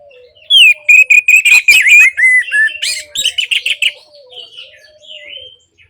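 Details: Orange-headed thrush singing, meant to restart singing in birds that have gone quiet. A loud, fast phrase of jumbled whistles and chatters lasts about three seconds over a steady, low whistled note, then fades to soft notes.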